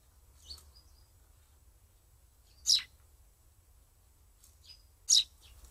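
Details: Sparrows visiting handmade nest-box apartments, viewing the rooms eagerly; a faint chirp, then two loud, sharp, downward-sliding chirps about two and a half seconds apart, with quieter high notes trailing after each, against near silence.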